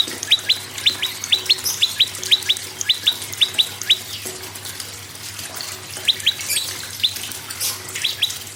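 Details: Prinia song meant to prompt other birds to sing: an extended run of paired high whistles that drop sharply in pitch, roughly two per second, a pause, then a short second run.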